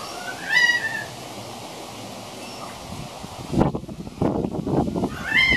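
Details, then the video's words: Young male pied currawong practising its song on 28 February 2016: a drawn-out, mewing whistle that rises then falls, given at the start and again at the end, with rustling noise between. "Pied Currawong Practicing Singing"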